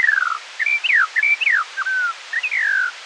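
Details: Eurasian skylark, possibly more than one, recorded in the morning and played at half speed: a chain of separate whistled notes, some sliding steeply down, others short and level, with brief gaps between them.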